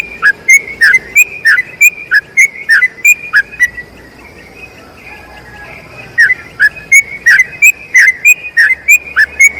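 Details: Yellow-vented bulbul in a long trilled song used as a tutor recording for other bulbuls: bursts of fast, repeated bubbly whistled notes with sharp high clicks, a brief pause mid-way, then the rapid series resumes.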